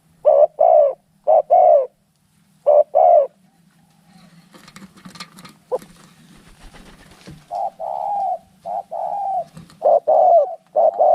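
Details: Spotted doves fighting: paired coos, a short note then a longer downslurred one, open the recording, give way to a burst of scuffling noise in the middle, then resume in a steadier run at the end.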